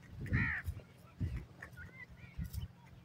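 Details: Black francolin (kala teetar) giving its 'masti' call, meant to excite other francolins: a short, harsh, harmonic note near the start, then fainter scratchy notes, over heavy low rumble and handling noise.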